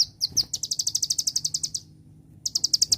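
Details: Olive-backed Sunbird with a quick run of high, evenly spaced chirps in a celilin-style song, followed after a short pause by a second rapid chirping series.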